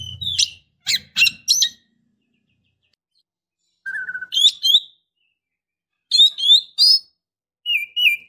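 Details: Female white-rumped shama (kacer betina) in breeding condition calling to a male, giving short separated bursts of sharp chips and twisting whistled notes with silent gaps between them.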